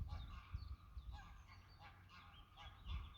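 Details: Greylag geese giving a series of nasal, harmonic honks, several short calls overlapping and repeated through the three seconds, some rising or falling slightly, over a steady low rumbling background noise.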